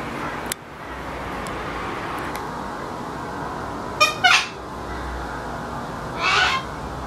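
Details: White Sulphur-crested cockatoos crowding a balcony on Queensland's Whitsunday coast give three harsh, raspy screeches, two close together and a longer one after a pause, over a steady hiss and a few faint clicks.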